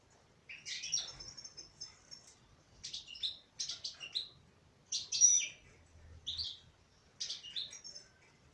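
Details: Female European goldfinch delivering lively song: clusters of sharp, tinkling chirps and twitters repeated roughly every second or two, with short pauses between.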